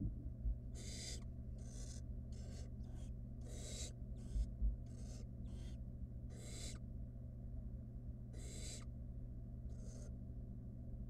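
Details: Wild barn owl nestling in a monitored nest box, playing with food its mother delivered, gives harsh, breathy hissing bursts, about a dozen over eleven seconds, separated by short gaps, over a steady low hum.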